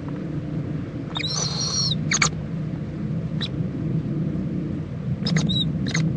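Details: Owl mother and owlet preening together at a nest in Indiantown, Florida, 11:45 AM, February 26, 2014; one raspy, high whistled screech lasting under a second, followed by sharp clicks and a brief faint call, above low rumbling noise.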